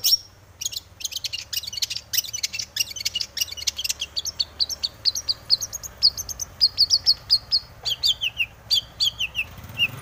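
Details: Breeding-condition long-tailed shrike (cendet) with full 'isian' song, played to stir other shrikes to sing; opens with dense rasping chatter, then runs of thin high whistles and quick warbled notes repeated in rapid sequence.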